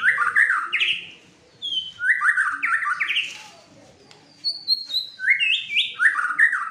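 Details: Fighter white-rumped shama in an agitated mood sings bursts of fast rising whistles and chattering notes, separated by brief silent gaps.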